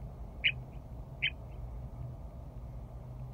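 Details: Western meadowlark returning in spring to Rocky Mountain Arsenal National Wildlife Refuge, perched close to a vehicle on the wildlife loop drive: two sharp, short chuck notes about a second apart over a low steady hum.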